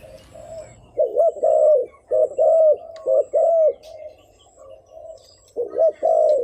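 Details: Spotted dove decoy cooing used for luring: soft low hooting at first, then loud arched coos in tight pairs and triplets, separated by a quiet gap.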